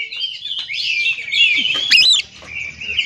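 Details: Oriental magpie-robin song for provoking other magpie-robins to sing: a dense, high, scratchy warble with gliding whistles, fading into softer notes after a brief drop.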